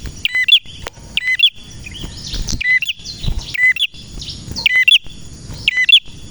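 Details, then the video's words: A male red prinia sings actively, short clusters of loud high chips repeated about once a second, some softer warbled notes between, with a thin steady whine in the background. "Prenjak Merah Gacor cocok untuk masteran dan pancingan prenjak bahan ‼️prenjak birds singing ‼️"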